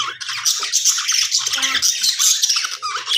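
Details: Budgerigars in an aviary, a dense chorus of overlapping chattering, squawky calls and high warbles running without pause, bright and busy throughout.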